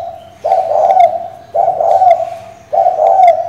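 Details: Female spotted dove cooing to call the male and provoke a decoy bird: three low, hollow, husky coo phrases in quick succession, each swelling then trailing off, about one every second.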